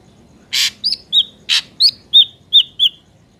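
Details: Ashy drongo song as a trapping lure: two loud harsh rasping bursts alternating with five or six sharp, down-slurred whistled notes about a third of a second apart.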